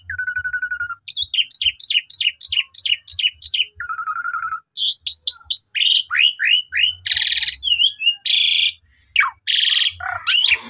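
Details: Young Asian pied starlings in full song, played to draw song from other starlings: steady trilled notes, a quick series of repeated falling chirps, harsh rasping bursts, and sharp downward whistles.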